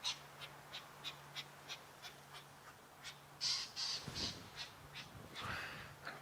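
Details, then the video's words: Lilac-breasted roller squawking as it flies overhead at sunset in the African wild, heard from a vehicle: short, harsh, rasping calls repeated about three times a second, with louder bursts midway and a low engine hum beneath. "I'm sure you can hear that lilac-breasted roller squawking above us. Just flew over."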